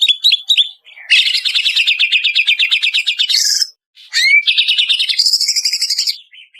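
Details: Banyuwangi-type greater green leafbird lure song. Quick chirps open into a long rattling trill ending in a high sweep, and after a short pause a rising whistle starts a second dense trill with a higher buzzy layer.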